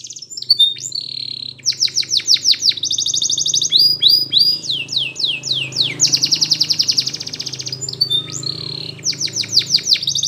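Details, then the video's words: Belgian canary singing as a training song for young canaries, with fast high rolling trills, repeated chopped notes, a long buzzing tour and sweeping whistles; a faint low hum runs beneath. "Belgian Canary Training for Early Childhood Canaries so that they sing diligently"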